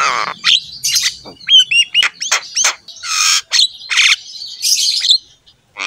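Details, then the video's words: Lively Javan myna (jalak kebo) song, used as a tutor for kept mynas: mixed raspy squawks, short rising whistles, and broad harsh bursts in an uneven stream, with gaps between phrases. "KICAUAN JALAK KEBO GACOR INI PANTAS DIJADIKAN MASTERAN SEMUA JALAK"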